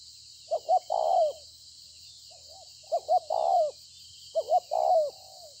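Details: Spotted dove, a bổi bird noted for good cooing, recorded 26 September 2020: three phrases, each two short hooting notes and then a longer, falling coo, about two seconds apart, over a steady high hiss.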